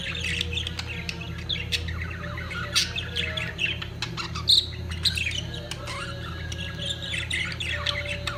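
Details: Budgerigars at peak mating make a softer, continuous warbling chatter of overlapping chirps, with a few sharper squawks midway and a steady low hum throughout.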